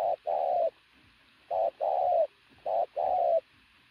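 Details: Loud cooing from a sturdily built decoy pigeon: three paired phrases, each a short low note followed by a longer, steady coo, separated by brief silences.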